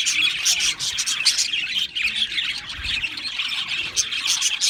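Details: Chorus of Australian parrots: busy, high-pitched twittering and scratchy chirps from several birds at once, with brief dips in the steady chatter.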